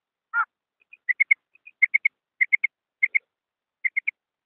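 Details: A female rain quail, used as a hunting lure in Pakistan, opens with a lower rasping note, then gives high, clipped notes in quick twos and threes, repeated about every two-thirds of a second.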